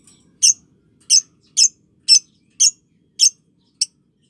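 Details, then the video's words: Lovebird sound for training young and under-five-month birds toward ngekek. Seven shrill, squeaky notes come roughly every half second, each a brief harsh chirp, over a quiet background. "Love Bird Paud & Balibu Dijamin Latah Ngekek"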